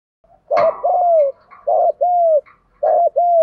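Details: Spotted dove used as a decoy calling to attract wild doves, giving three paired coos, each a brief upturned note followed by a drawn-out falling tone, in a steady rhythm.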